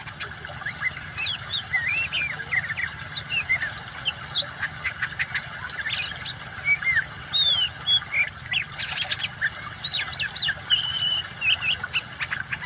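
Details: Long varied song of an oriental magpie-robin over steady running water, with whistled rising and falling phrases, harsher squawky notes and bursts of rapid chips, delivered almost without pause.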